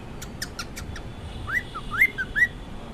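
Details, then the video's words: Pet cockatiel calling in the morning: a few clear, rising whistled chirps in a quick series, preceded by soft clicking taps, over low background hum. "morning cocku"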